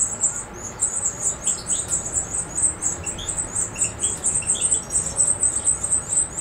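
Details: European goldfinch (Carduelis carduelis), Macedonia, 7 July 2011; a fast, dense, high-pitched twittering trill running throughout, with occasional softer lower chips underneath.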